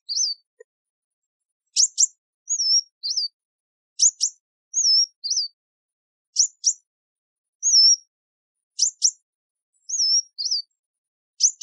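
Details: Kingfisher calling: sharp high double chirps alternating with short wavy whistled notes, grouped in bursts roughly every two seconds, with silence between and no other sounds.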